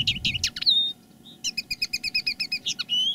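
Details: Caged decoy common linnet singing live: a few loud twittering notes and a whistle, a brief pause, then a rapid, evenly repeated series of bright chirps ending in a thin rising whistle, with low background rumble.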